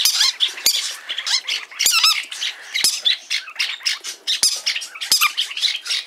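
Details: Green-cheeked conures in a pet shop give harsh, raspy squawks and chattering chirps in a busy, overlapping stream, with sharp clicks among them and other small parrots calling alongside.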